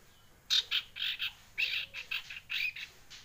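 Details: Young collared kingfisher, one month old, practising its call: a run of about ten short, rasping, squawky notes in uneven pairs and triplets, bright and fairly loud over a quiet background.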